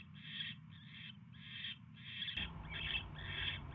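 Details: Barn owl at the nest late on January 22, 2016, when a mouse is delivered: about six breathy, rasping hisses roughly every half second, with background rumble growing louder midway.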